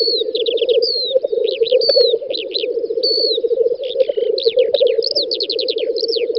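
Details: Black grouse males gathered at a spring-field lek in western Russia in May 2019 give a constant, rapidly pulsed low bubbling; above, other birds add slurred whistles and quick chirp series.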